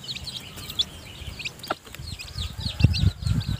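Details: Weak newly hatched chicks still in the nest peep in high, sliding notes during feeding by the hen, with low knocks and rustling toward the end.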